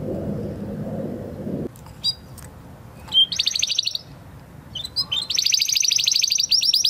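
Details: Spanish Timbrado canary, 2020 breeding, in training song: low rumbling background, scattered sharp chips, then a short high rattling trill and, after a pause, a longer fast, rolling, metallic trill.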